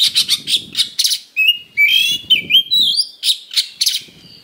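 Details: Oriental magpie-robin (kacer) fighting-provocation song, loud and harsh: rapid bursts of buzzy chatter alternating with clear whistled slurs rising and falling, notes packed closely with short gaps.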